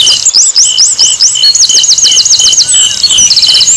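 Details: Song of an Asian brown flycatcher, used as a lure to get other birds singing. It opens with a series of sharp rising curled whistles, then a fast run of ten zigzag notes and a tight high trill, over a constant shrill background tone.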